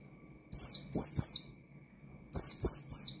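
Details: Challenging 'nembak' song of an Oriental white-eye calling to rivals: two bursts of three sharp, high, falling buzzy notes, each quickly repeated, with dull thumps underneath.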